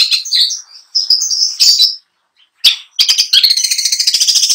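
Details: Trophy-winning long-tailed shrike singing a full mimicry song. Buzzy warbled chatter leads into a short silence, then a fast, even rattle of rapidly repeated notes.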